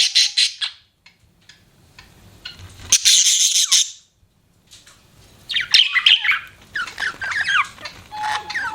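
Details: Budgies in a pet setting: scattered buzzy chirps, a long harsh scratchy burst, then twittering whistled notes and warbles, with a faint steady tone at the end.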